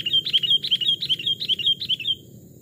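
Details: Caged wild-caught Sooty-headed bulbuls aged two and three years, one small and one large type, tested in a forest: a quick run of about seven bright chirped notes, evenly spaced, then fading to quiet.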